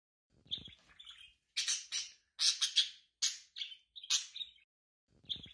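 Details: Pet budgerigar chattering: scratchy, warbling high chirps and squawky notes in short bursts of about half a second, with brief pauses between them.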